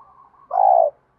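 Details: Spotted dove of the 'thổ bầu' voice type, a fight-provoking call used for luring wild doves. A faint high twitter is followed by one deep, sustained coo that slides slightly downward.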